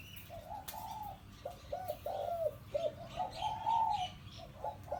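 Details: Four-year-old hybrid zebra dove used as a trapping decoy, its call described as tight in both inner and outer ring: quick stuttering coo phrases, then a longer rolling trill, with faint higher chirps behind.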